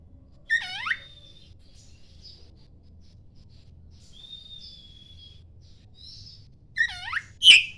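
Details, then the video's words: Morning song of a poci-type Oriental magpie-robin, meant to provoke other magpie-robins into singing: a quick cascade of falling notes, a long thin level whistle, soft high twitters, then another falling cascade ending in a loud snapping note. "SUARA EMAS KACER POCI, KICAU DI PAGINHARI"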